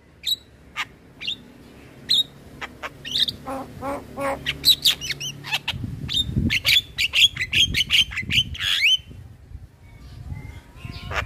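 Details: Male Javan myna song used as training material for young mynas: scattered clicks building into a dense run of harsh squawks, chatter and short whistles, then fading to quieter notes.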